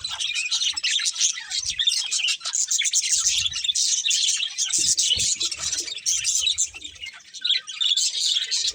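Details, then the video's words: Budgerigars of a breeding pair chirping nonstop, a thick, buzzy stream of high twitters and warbled chatter with faint low knocks in the background. "Cute Budgies Chirping Sounds | Love Birds Breeding Pair"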